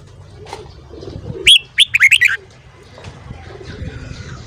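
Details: Red-whiskered bulbul morning song: a single quick phrase of five or six loud, rich whistled notes, sharply rising and falling, over a soft low rumble with faint chirps around it.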